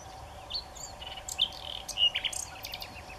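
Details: Common nightingale singing while perched high on a tamarisk branch, in the open rather than hidden in dense shrubbery. Quick, varied phrases of high whistles, sharp chirps and short trilled bursts, fairly quiet against a steady low background hum.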